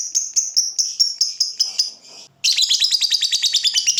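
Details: Lovebird fighter ngekek used to tutor young birds: a run of clear high chirps, then a short pause, followed by a harsh, rapid, rattling trill.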